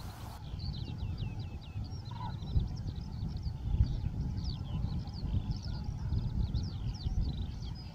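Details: Northern lapwings near the mouth of the Warta, many overlapping wheezy, slurred calls rising and falling, given continuously by several birds, over strong low wind rumble.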